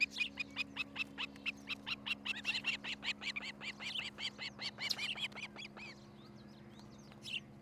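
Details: Osprey at a treetop nest in Charlo, Montana, on a camera, early morning of 13 July 2018. A long rapid run of piercing chirps gets louder and denser midway, then stops near six seconds. A final faint note follows over a constant low hum.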